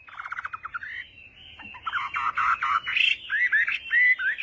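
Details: Chinese hwamei singing its morning fighting song: a run of quick stuttering notes, then a thick, varied warble with louder rising whistles near the end.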